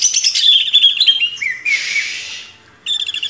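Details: Greater green leafbird singing on a master recording for cage-bird training: twittering whistles that fall in pitch, then a harsh rasping burst and a final chatter.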